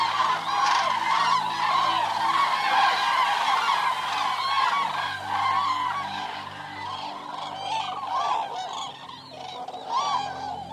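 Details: Eurasian cranes in a group uttering rapid, overlapping trumpet-like calls, loud at first and thinning out slightly, with bent and looping notes later on.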